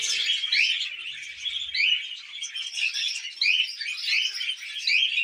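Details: Pet budgerigars, tamed, eating millet and keeping up lively chatter: unbroken high twittering with upslurred whistles and scratchy warbles, several voices mingling, almost no other sound.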